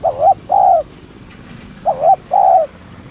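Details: Spotted dove cooing to lure other doves: two close phrases, each a quick wavering note followed by a longer smooth coo, low and mellow against quiet surroundings.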